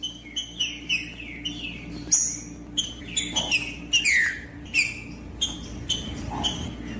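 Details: Green-winged saltator, female calls used to rouse a male to sing: a rapid even series of short downward chips, roughly two per second, with a few stronger notes mixed in.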